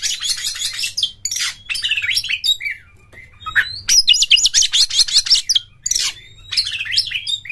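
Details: Oriental magpie-robin (kacer), kept in a cage, delivering a long, rich song of rapid chattering phrases, sharp high chirps and brief whistles in fast bursts separated by short gaps, a faint hum below.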